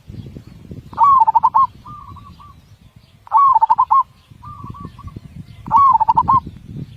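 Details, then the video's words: Zebra dove singing in the big-voiced, tight-beat style. Three phrases: each a rising whistle that runs into a quick, closely spaced series of rolling coos, then a quieter detached coo. A low background rumble continues throughout. "Masteran Burung Perkutut suara besar ketukan rapat."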